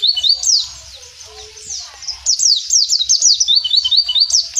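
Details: Wild Mountain white-eye (pleci) singing a rapid, high, twittering chatter of sweeping slurred notes, quickening into a run of repeated chirps near the end.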